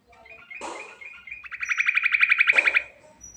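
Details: Sooty-headed bulbul used as a lure call, with a rich, varied rolling delivery: brief chattering notes, then a rapid, even trill of sharp repeated notes for about a second, ending with a harsh burst.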